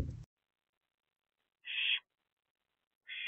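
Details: Night at an owl box around 1 am, 7 April 2024: a mother barn owl perched with her two older owlets gives quiet, harsh hissing screeches, each lasting roughly a third of a second, after a brief knock.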